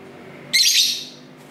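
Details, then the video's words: Lovebirds talking to each other indoors near a main street, recorded on a camera's built-in mic: a single loud, grating, high squawk of about half a second, then low background hiss. "Love Bird Sounds"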